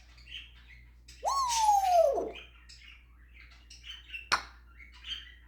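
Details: Pet African grey parrot doing its mimicry repertoire of snoring, doggie, kitty and rooster noises; a loud, arched whistle sliding up then slowly down for a second, then quieter chirps, a sharp click and soft squeaks.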